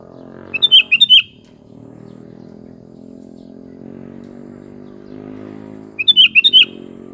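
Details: Two rapid warbled phrases of a sooty-headed bulbul, each a quick string of slurred whistles, separated by about five seconds of continuous low humming machine or engine noise.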